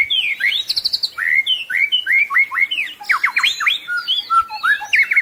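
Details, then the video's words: White-rumped shama (murai batu) singing a rich 'full isian' tutor song. It is a fast, varied run of whistled, slurred and rising-falling notes with quick repeated phrases and sharp chips, delivered without pause over five seconds. "Masteran Murai Batu Full Isian"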